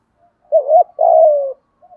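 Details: Spotted dove decoy calling out to lure others: one clear phrase of a wavering double hoot followed by a sustained mellow coo that slowly drops in pitch, ending with a faint soft note.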